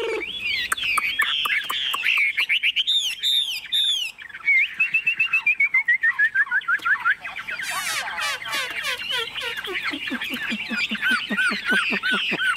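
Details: Long performance by a tame caged Chinese hwamei in Vietnam: rolling whistles, a descending chain of slurred notes, dense bursts of rapid clicking trills, then quick repeated whistled notes.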